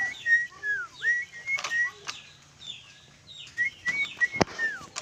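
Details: Sooty-headed bulbul kept in a cage, giving clear whistled phrases of slurred notes, some rising then falling, in two bursts separated by a quieter pause, with sharp clicks and a low background hum.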